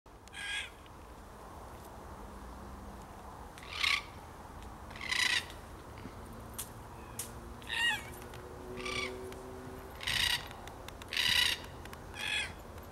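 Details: Wild cockatoos at Caversham Wildlife Park, Australia, on 2017-09-07, feeding on eucalyptus seeds, give harsh, raspy screeches in short bursts, about one a second at an uneven pace, over a steady low hum; cockatoo.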